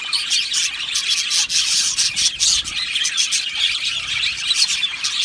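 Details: Many Australian budgies in an aviary sing and chirp together, a thick, unbroken high-pitched babble of warbles and sharp squeaks.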